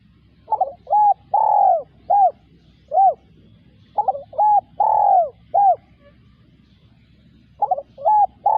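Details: Large dove cooing in a repeated phrase of short coos and a long drawn coo, the phrase given twice in full and begun a third time, with pauses between; quiet background.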